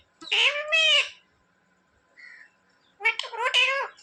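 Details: Pet parrot that says "mummy" and "papa": two loud, nasal, speech-like phrases about two seconds apart, with a soft squeak in the gap, indoors.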